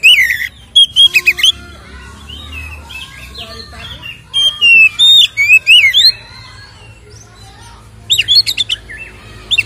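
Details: White-rumped shama lure song for provoking caged birds: loud bursts of whistled and buzzy phrases around three seconds apart, with softer warbling between them, over faint hum.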